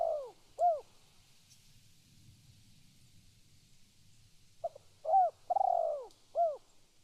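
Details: Spotted dove calling, loud and close: two separate coos, a quiet gap, then a full phrase of short stuttering notes, clear coos and a long rolling coo before a closing coo.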